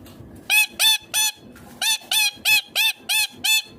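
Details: Harsh, nasal screeches from a ringneck green parrot, repeated roughly three times a second in two bursts separated by a short gap, over a quiet background.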